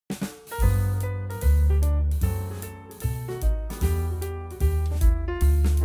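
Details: Band music only: a drum kit with heavy bass drum and snare beats under sustained instrumental chords, and no animal sound.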